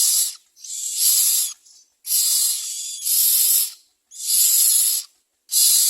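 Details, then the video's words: Baby mynas begging their mother for food with long rasping hisses, some running over a second, in about five bursts separated by brief silences. "Myna All baby birds demand food from their mothers"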